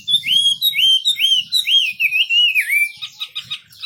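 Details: Wambi bird delivering clear, looping whistled notes, each rising then dipping, about two per second, ending in a softer, fragmented twitter.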